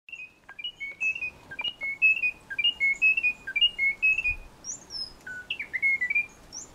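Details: Munchique wood wren, an endemic of Tatamá Natural Park in Colombia's Western Cordillera, singing a fast series of clear whistled notes repeated about once a second, with higher thin whistles above.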